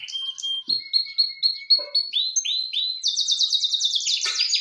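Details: Canary singing a varied phrase: clear steady whistles at two pitches, then a run of quick downward slurs, ending in a dense fast high trill.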